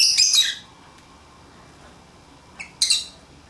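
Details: Lovebirds playing outside their cage: a harsh, grating, high squawk opens, then silence, then a brief chirp followed by another raspy screech.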